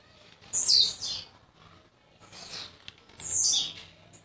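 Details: A young blue-black grassquit, newly arrived in Jacarepaguá, Rio de Janeiro, gives high, buzzy, descending bursts of song, three short phrases about a second apart, over a low background hum.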